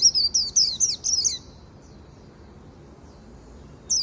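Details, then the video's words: Japanese white-eye giving a brief afternoon 'líu' phrase of quick high twittered notes for about a second and a half, then near silence before another short burst begins. "Chim khuyên líu buổi chiều"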